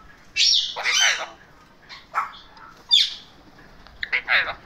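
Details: Indian ringneck parakeet, a pet male in happy mode, utters loud raspy double squawks, then softer chattering notes, then a final pair of harsh calls, all high-pitched and irregular.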